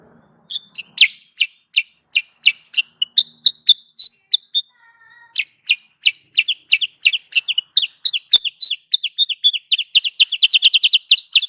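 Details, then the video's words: Sooty-headed bulbul lure call for trapping, a long, steady stream of crisp chirps and short whistles, briefly interrupted by a low tone, then building into a fast, dense chattering run. "Suara pikat Burung Kutilang sutra"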